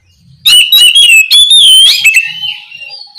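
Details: Loud ringing calls of an Oriental magpie-robin summoning its companion: a fast string of clear whistles and scratchy notes, with one long sweeping whistle in the middle, then fading to a soft trailing note.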